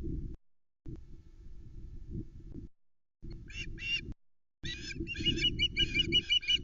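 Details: Juvenile ospreys at the Loch Arkaig nest, 17 August 2020, scream for fish before the father's 13:49 flatfish delivery. They give shrill, rapid, repeated piping screams building to an insistent burst, over wind rumble.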